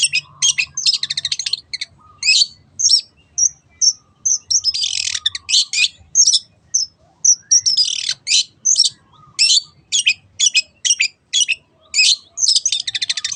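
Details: Long-tailed shrike delivering a 'teot teot' song meant to prompt other birds to sing: long, steady series of shrill, scratchy chirps and buzzy trills, loud and continuous throughout.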